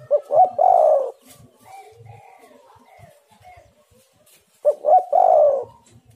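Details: Spotted dove cooing as a lure: a two-note stutter then a long, slightly falling coo, repeated after about four and a half seconds, over a soft background of distant bird twitters.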